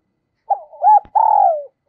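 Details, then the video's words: Fragment of a decoy spotted dove's call used to attract wild doves: a soft wavering coo, then a sustained mellow coo that drops gradually in pitch. "Chim Cu Mồi Gáy Gọi Cực Đỉnh, tiếng chim cu gáy kích bổi hiệu quả mỗi ngày"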